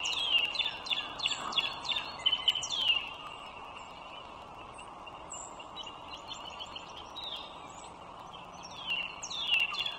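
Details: Wild bald eagle pair beside a toll road in Loudoun County, northern Virginia, 21 March 2023, 9:15 morning: high, thin piping notes in quick descending chittering runs at the start and end, over a steady hum of road traffic.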